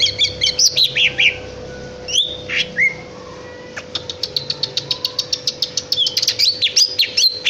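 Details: Greater green leafbird song, a varied run of sharp chirps, down-slurred whistles and fast clicking notes, with a rapid ticking series in the middle and bright whistled phrases at the end; steady low hum underneath.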